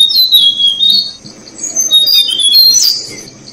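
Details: Thai recording of Tickell's blue flycatcher parents feeding their young: shrill, high-pitched squeaky chirps tumble over one another in busy bursts, with a quieter pause in the middle before renewed excited calling.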